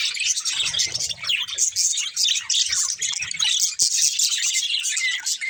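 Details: Several budgies twittering and chirping in high, scratchy overlapping bursts that swell and fade, with soft low thumps in the first half.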